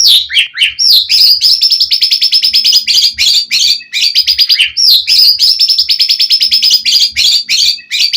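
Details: Energetic Oriental magpie-robin song aimed at drawing a rival's answer, made of high rapid-fire trills and sweeping whistles repeated almost without pause, with faint low knocks in the background.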